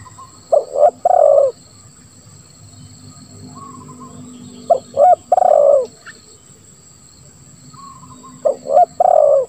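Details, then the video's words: Spotted dove giving a lambung-style call with a single 'kuk' and a rough, grating ngeruk note: three hoarse cooing phrases, each a short note, a second note and a longer falling coo, spaced about four seconds apart; steady high hiss behind. "Suara Tekukur Terbaru ll Lambung Kuk 1 Suara Ngeruk"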